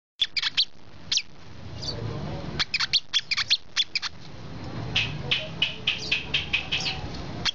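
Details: Brown-throated sunbird singing: a fast run of sharp, high chirps and short tweets, bunched in quick bursts with brief pauses, then a steadier string of evenly spaced notes near the end; faint low background rumble.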